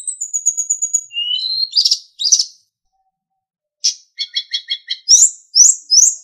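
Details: Captive-training master song of a sulingan: a thin high whistled trill, upslurred whistles, a pause, then quick repeated chirps and loud rising whistled notes at the end.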